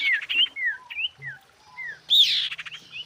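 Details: Female iora calling for the male: a run of clear downslurred and upslurred whistles spaced about a third of a second apart, then a loud buzzy rattle and one final whistle.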